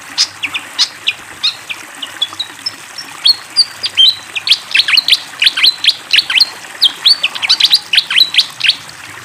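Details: Energetic fantail song with flowing water behind: dense, squeaky high chirps and brief whistled slurs in rapid succession, with a steady scatter of notes throughout and a busier burst near the end.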